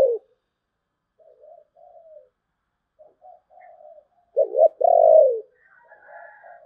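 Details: Spotted dove singing in the thổ bầu voice style: scattered quiet low coos, then a strong clipped double coo and a longer, smoother coo that drops away. Faint higher chirping follows near the end.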